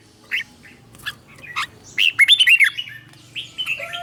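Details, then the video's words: Red-whiskered bulbul teacher song, doubled 'beul' style, for stimulating caged bulbuls: a few isolated chirps, then a rapid burst of bright slurred whistles, followed by softer drawn-out notes over faint hum. "เสียงนกกรงหัวจุก | สุดยอดนกครู เบิ้ลชัดๆ เบิ้ลเป็นคู่ๆ เสียงกระตุ้นนกรงหัวจุก"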